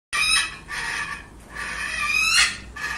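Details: Pesquet's parrot (kasturi raja) gives harsh, rasping, drawn-out screeches in four bursts over three seconds, the longest one rising toward its end.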